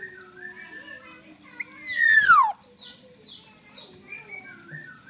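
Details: Black-naped oriole, wild-caught, with plenty of borrowed fill-in song material, gives one loud, harsh descending sweep that drops sharply in pitch. Softer whistled phrases and low background chatter run around it.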